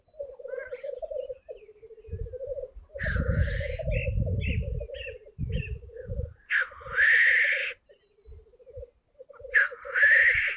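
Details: Black grouse males displaying at a lek before dawn, around 4 a.m., 2025 season, still dark: continuous bubbling, dove-like rookooing broken by loud sneezing hisses, several birds at once, some very close, rivals facing off, low rumbles underneath.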